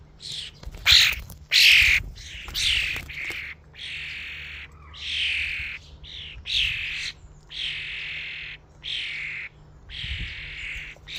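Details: A flock of common starlings at a feeding station: loud overlapping squawks and wheezy chatter come in bursts of about a second, nearly continuous, with a low steady hum underneath.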